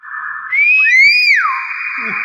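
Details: Nias hill myna: a loud, pure whistled call, a steady tone that slides upward into a bright swelling note, then falls and settles back to a long level whistle, in a quiet indoor setting.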